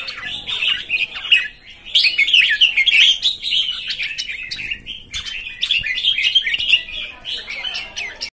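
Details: Red-whiskered bulbuls, new arrivals recorded 13 June 2019, pour out busy overlapping chirps and sharp whistled phrases, with a short gap near the start, then continuous bright chatter.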